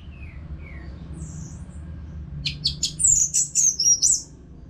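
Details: Caged Orange-headed thrush from Singaraja, Bali, its song played to train other birds: faint soft notes, then a rising flurry of very high, thin, rapid slurred whistles lasting about two seconds, with a steady low hum behind.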